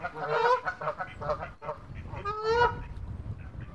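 A small flock of geese chatters in nasal, overlapping honks, a few every second, with a low rumble of background noise beneath.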